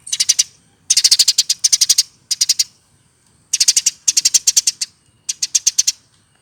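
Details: Eurasian tree sparrow hand-raised from a fledgling, over one year in age, delivering loud rhythmic bursts of five to nine rapid, harsh high chirps, each burst about half a second long, separated by short pauses.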